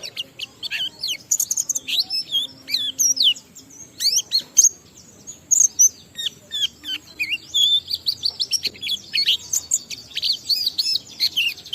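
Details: Varied, fast, high-pitched warbling and chattering from an Oriental white-eye in ngalas delivery with riwikan fills, played to stimulate other white-eyes to sing. Sweeping whistled notes are mixed with dense twitters almost without pause.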